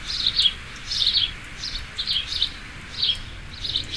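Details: Sparrow giving short, slurred chirps in loose pairs and trios, about one burst every half second, over low background noise.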